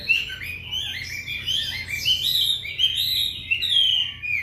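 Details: Chinese hwamei in full afternoon song: rich, rapid whistled phrases rising and falling in varied series, loud and continuous, with little else audible.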